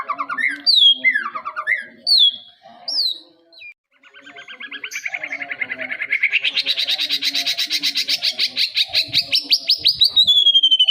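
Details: A juvenile white-rumped shama, said to be fit as a master singer for tutoring other birds, gives several sharp rising and falling whistles, a brief pause, then a long, steadily rising rapid trill ending in a clear high whistle.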